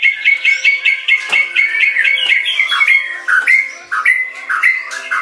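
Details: Loud, rich white-rumped shama song of fast ringing whistled notes in steady series, broken by lower slurred phrases and sharp chips, delivered continuously, with a faint steady tonal hum underneath.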